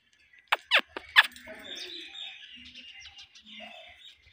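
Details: Indian ringneck parakeet chirping: three sharp, loud chirps in the first second and a quarter, then softer, rapid twittering and squeaky notes run on through the rest.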